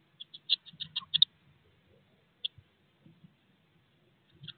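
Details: Eurasian blue tit nestlings, 16 days old, in a nest box just before fledging, give a quick burst of about eight high sharp begging chips, then a single chip and quiet soft rustling.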